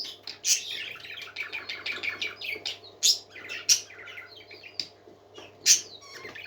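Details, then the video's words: Indoor parakeets twittering in rapid scratchy bursts, punctuated by several loud piercing squeaks spaced a second or two apart, over a faint constant hum. "Happy Parakeets Singing"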